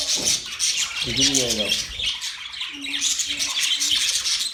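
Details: Budgerigars recorded October 11, 2023, keep up loud continuous twittering and squawking, while a lower buzzy warble and a few short low tones sound beneath.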